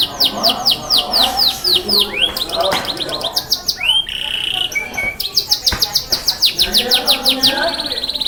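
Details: Loud Yorkshire canary song: rapid rows of falling whistled notes, switching to buzzy trills, a brief low rolling phrase, then fast high repeated chirps; faint speech behind.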